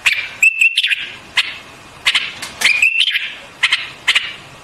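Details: White-eared bulbul (Pycnonotus leucotis), song.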